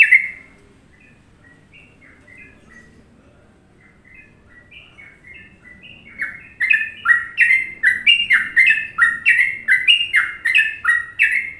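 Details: Indonesian sooty-headed bulbul in the popular Trucukan song rhythm for masteran: quiet, distant-sounding bubbly notes for six seconds, then loud chirpy warbled phrases rolling out in quick succession, each a short rising-falling whistle.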